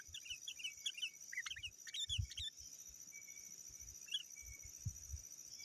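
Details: Sooty-headed bulbul calling rivals, used to lure wild birds in the forest: short bubbly chirped phrases for about two seconds, then near quiet with one faint note, over soft low thumps and a steady high hiss.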